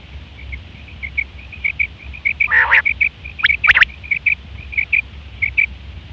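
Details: Female quail (batair) calling as a trapping lure: a continuous run of soft high peeping notes, broken by one harsh nasal burst and a quick cluster of sharp clicks, low hum behind.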